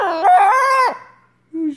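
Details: At night a baby Catalina macaw, crying while apparently missing its absent owner, gives one loud, drawn-out, puppy-like wailing cry that rises and holds nearly a second, then a brief lower note as a person talks softly.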